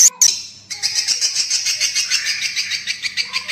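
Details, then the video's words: Swiftlet lure call used to draw swiftlets in to roost. A short sharp burst opens, then dense, high, twittering chirps pulse rapidly and steadily, about four times a second, to the end. "suara panggil burung walet untuk mengginap kan paling ampuh"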